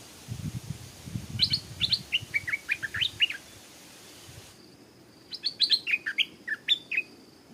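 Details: Stripe-throated Bulbul beside a canal, where a wild bird fought a caged young decoy; a long lively phrase of bright, bouncing notes, with a low rumble early, then a second bubbling phrase.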